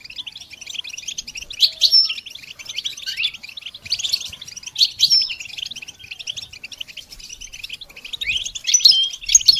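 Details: Goldfinch singing for songbird training, a steady stream of thin high chirps and twitters that swells into denser flurries around the second, fourth-to-fifth and final seconds.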